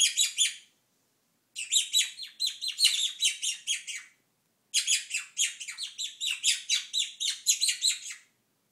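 A monk parakeet gives bursts of harsh, rapid chattering squawks with short pauses between bouts.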